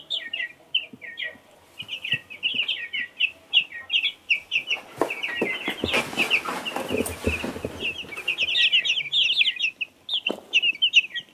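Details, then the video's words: Baby chicks of two kinds peep in quick, high, overlapping notes, often sliding downward; in the middle stretch a burst of broadband rustling and scratching noise partly masks the calls before clear peeping returns. "Baby chicks"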